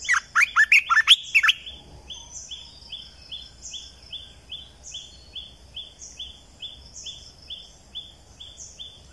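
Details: Lure call of a red-eyed bulbul from a 2020 recording: an opening burst of lively, tumbling notes, then a long stretch of faint, evenly spaced rising whistles.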